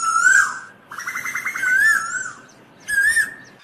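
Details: Asian koel calling to its flock with clear, mid-pitched whistled notes that rise and fall, with a quick burst of rapid bubbling notes between them.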